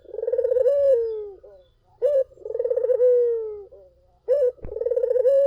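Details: Repeated cooing song of a collared dove, meant to lure other doves into replying: a crisp opening hoot, then a long rippling coo gliding downward, a pause, and again. A brief click is heard near the end.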